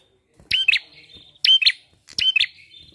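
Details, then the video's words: Lure song of a bar-winged prinia for prompting other birds to sing: three loud, sharp bursts, each made of two snappy chirps, spaced about 0.8 seconds apart. "PANCINGAN PRENJAK KLAWU GACOR!"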